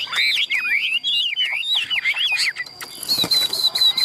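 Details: A caged male Chinese Hwamei fighting-singer, held by hand, pours out a loud, rich song of rapid slurred whistles rising and falling, ending in high repeated notes; faint traffic behind.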